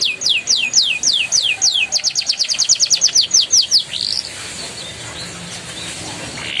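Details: Young-canary prompt song from a canary: a run of steep downward-sweeping whistles that speed up into a quick rolling series, ending in a rising note before quiet background.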